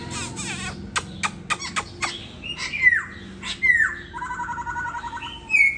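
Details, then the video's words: Loud clicks and knocks come before downslurred whistles and a buzzy trill from a caged laughingthrush in Hà Nội, Vietnam, whose tail feathers are being replaced. "Khướu rất tố chất"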